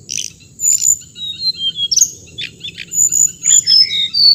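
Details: Hồng hạnh bird singing: a quick string of high, thin chirps and short whistled notes, some sliding downward, given in uneven bursts about twice a second over a steady high insect-like hiss.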